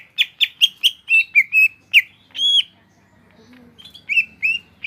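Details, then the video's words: Greater green leafbird, a cage bird in Indonesia, singing quick bright chirps, a longer ringing whistle, then a pause before more warbled notes. "BURUNG CUCAK IJO GROPYOKAN GACOR"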